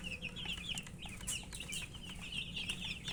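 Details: Chicks of domestic chicken peeping as they feed; rapid, high cheeping runs steadily through, over a rough background hiss.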